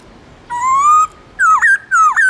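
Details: White-cheeked laughingthrush, Central Highlands wild-voice song meant to stir caged birds into singing: one long, steadily rising clear whistle, then two looping, warbled phrases that dip and climb.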